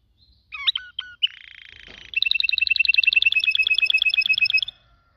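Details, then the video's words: Canary delivers a few whistled slurs, a buzzy low roll, then a long rapid trill of clipped doubled notes lasting over two seconds. "Best canary singing 2021 beautifull"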